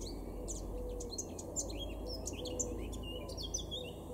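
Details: A male Eurasian blackcap (Sylvia atricapilla) sings in a garden in Weener, East Frisia, Germany, in April 2022: a quick, chattering warble of high twisting notes over a steady low background rumble.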